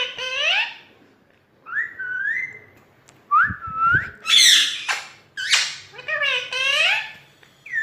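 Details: Pet parrot indoors, recorded on an iPhone: a mix of rising whistled notes, harmonic squawks and harsh buzzy bursts, loud and varied, with short pauses and a couple of low thumps in between.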